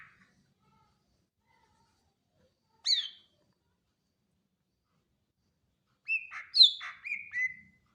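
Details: Greater green leafbird giving a single whistled note, then after a long pause a short phrase of mixed whistles and slurred falling notes.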